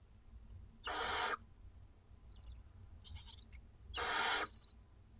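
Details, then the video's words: Barn owlets two weeks old at a school garden nest, begging at feeding time: two loud broad rasping hisses about half a second long, three seconds apart, with a fainter hiss between them. "Dinner time for 2 week-old Barn Owlets!"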